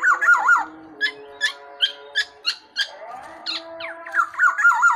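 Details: Tame, lively Black-naped oriole: rich, wavy, fluty whistles open and close the phrase, with a string of short sharp chips between them and a faint steady background tone.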